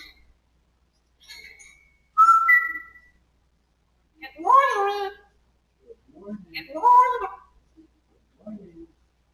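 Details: Pet African grey parrot saying "Good Morning" for the first time, in a small room: a brief rising whistle, then two voice-like, speech-shaped phrases with layered tones, and a soft trailing murmur.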